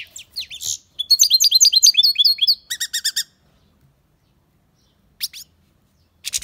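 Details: Singing goldfinch kept in an aviary: a dense burst of high twittering notes and a short run of clipped rattling chirps, followed by long silence broken by two brief sharp calls.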